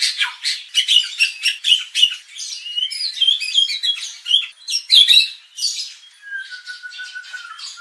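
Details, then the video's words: White-rumped shama provoking sound for contest training, scratchy rasping notes mixed with short whistled phrases, ending in a long flat whistle. "pancingan murai batu agar emosi bongkar isian"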